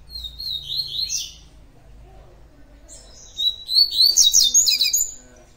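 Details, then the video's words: Double-collared seedeater, song in the tui tui style, with two bursts of high, quick, chattering whistles. The second burst is longer and more rapid, trilled and sparkling, after a short silence. "COLEIRO TUI TUI DIAMANTE"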